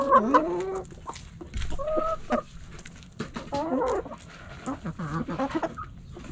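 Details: Backyard hens and roosters pecking and scratching; hens give drawn, wavering clucks and descending, nasal calls in irregular bursts, with overlapping birds and a low thump.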